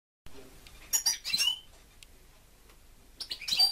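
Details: Pet European goldfinch kept at home, singing bright high twittering phrases in two bursts, around one second and again near three and a half seconds, with a quiet pause between.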